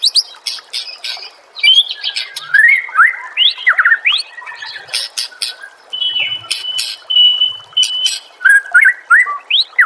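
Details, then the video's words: White-rumped shama master song for training birds to answer and sing: a fast, varied run of upslurred whistles, clicks and buzzy bursts, with one steady held whistle midway. "SEKETIKA PASTI NYAUT dan GACOR bila murai batu anda dengar suara MASTERAN burung seperti ini"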